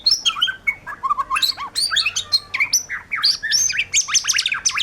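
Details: White-rumped shama in energetic 'gacor' song, a dense, rapid mix of fluty whistles, downward slurs and sharp high sweeps, delivered almost without a break.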